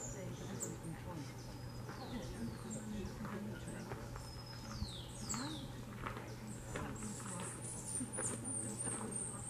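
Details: Blue-winged Mountain Tanagers of subspecies cyanopterus give thin, high, down-slurred notes and sharp chips in overlapping bursts, over a steady low hum and murmuring voices.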